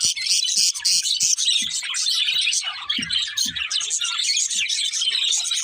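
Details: A lively chorus of chirping budgies, dense high twittering and warbling with quick chirps, with soft low thumps scattered underneath.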